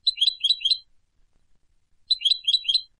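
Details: Turkish goldfinch singing in Istanbul, Turkey: two bursts of quick, bright twittering phrases, each made of three or four rapid chirpy notes high in pitch, separated by a short silence.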